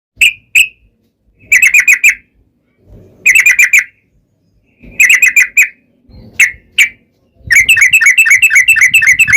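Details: Yellow-vented bulbul in a loud 'ropel panjang' long rapid-fire song, meant to lure other bulbuls into singing; sharp bright notes in short bursts, then a long fast rattling run of repeated chips at the end.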